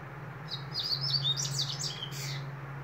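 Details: Double-collared seedeater singing a quick jumble of high warbled, twisting notes for about two seconds, over a steady low hum.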